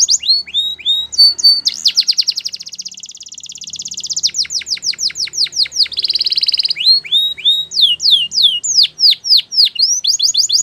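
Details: Long, varied canary song of rapid down-slurred whistles, dense buzzy rolls and fast trills, changing pattern every second or two, with sharp swooping notes returning near the end.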